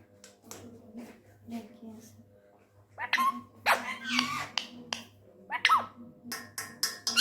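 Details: Angry tame ringneck parrot talking in Urdu/Hindi: soft clicks and quiet sounds at first, then from three seconds a burst of harsh, scratchy squawks and chatter, with sharp clicks and a low background hum.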